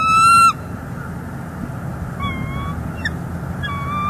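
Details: Wild female bald eagle on a northeast Florida nest, captured by a live cam in December 2021 as the male delivers sticks. One loud, sharp whistled note opens, followed by a couple of faint, thin piping notes over low hum.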